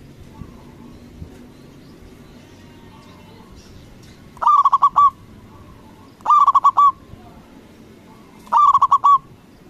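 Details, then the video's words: Zebra dove, a local bird, calling loudly to provoke other doves into answering; three bursts of rapid, rolling coos a second or two apart, each a quick run of trilled notes, with a quiet background between them. "Perkutut lokal Gacor Suara BESAR bikin Cepat Emosi Lawan Auto Nyaut Seketika"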